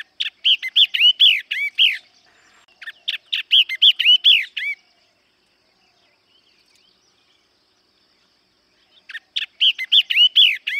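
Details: Yellow-eyed babbler song: loud bursts of quick, clear, downslurred whistles, each burst of about eight notes lasting two seconds, separated by pauses, with a long silence before the last burst.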